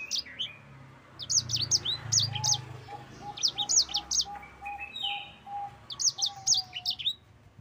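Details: Yellow-fronted canary singing a long rolling song, used as a lure and master for other canaries: clusters of sharp high chirps and slurred notes, with a lower steady series of short notes and a faint low rumble.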